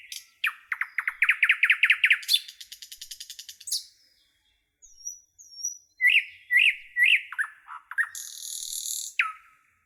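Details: A nightingale in the forest builds an accelerating series of rising notes into a rattle, pauses with soft whistles, then sings repeated ringing notes and a buzzy burst.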